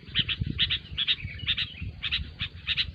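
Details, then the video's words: Sooty-headed bulbul calls used as a trapping lure: short paired rasping bursts with bright clicks, repeated roughly every half second, over a fairly loud low rumbling background. "SUARA BURUNG KUTILANG RIBUT SANGAT COCOK UNTUK MASTERAN MIKAT BURUNG KUTILANG"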